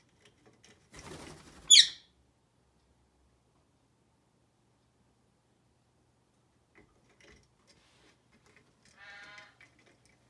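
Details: An Indian ringneck (rose-ringed parakeet), a rescued sanctuary parrot roaming the halls indoors, gives one sharp, shrill, downward screech after a burst of rustling, then a softer, harsher squawk several seconds later in a quiet room.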